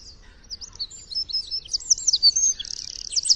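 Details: Free-living Eurasian wren in full song, a rapid stream of high squeaky warbles and sweeping notes that closes in a fine buzzy trill against a quiet background.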